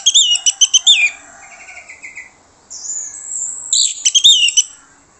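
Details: Orange-headed thrush song used as a lure for other birds: loud clusters of sweeping, chattering high notes at the start and end, with softer whistled trills and a long thin whistle in between.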